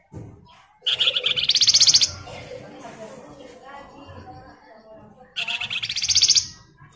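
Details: Flamboyan (Scarlet Minivet) singing in the gacor, ngebren style: two bursts of fast, buzzy, pulsed trilling, high and rasping, rising in intensity, each lasting about a second and separated by several seconds of faint low background murmur.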